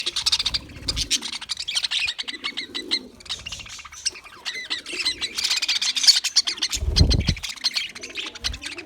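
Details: Australian English budgie recorded on February 14, 2024, chattering in dense bursts of scratchy, buzzy chirps and warbles, broken by short pauses, with low thumping knocks and soft low tones underneath.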